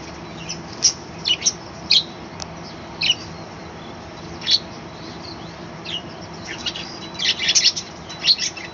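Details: Budgerigars kept in a small balcony colony chatter in the morning: repeated sharp, high chirps spaced a second or so apart, building to a busier cluster of twittering near the end.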